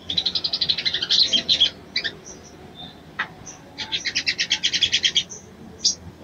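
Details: Mating call of a female sogon aimed at arousing a male: two long runs of evenly repeated high chirps, separated by a few isolated notes and a sharp click.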